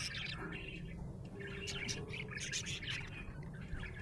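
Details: Cheerful budgie chirping: rapid, bright twittering notes and sharp clicks run through the clip, with a faint steady hum beneath.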